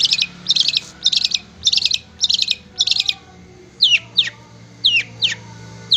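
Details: Training recording of long-tailed shrike for kept birds: six clustered bursts of rapid high twittering about every half second, then four sharp, downward-swooping whistles.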